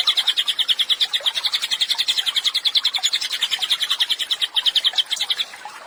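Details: Cililin in full song, intended for teaching songbirds: rapid high chirps in a continuous chain, slightly uneven in spacing and loudness, fading near the end.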